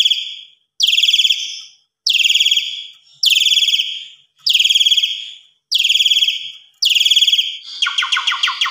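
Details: Evening singing of an Asian pied starling in lively voice, used to tutor other songbirds; a series of loud raspy bursts about once per second, ending in a rapid stuttering trill.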